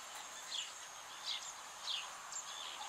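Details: Zitting cisticola of subspecies cisticola, Delta de l'Ebre, Spain, August 2015: thin, high clipped notes spaced roughly 0.7 seconds apart, partly buried in broadband hiss.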